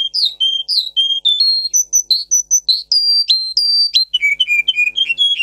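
A Russian singer canary sings a rapid run of pure, high whistled notes, some held, some slurred, ending in quick bubbling trills, with nothing else heard.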